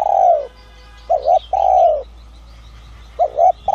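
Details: A spotted dove of the 'son' voice style calls to lure wild doves. A long, mellow, falling coo is followed by a phrase of doubled short coos and another drawn-out croon, then a new phrase begins. Faint chirps sound behind.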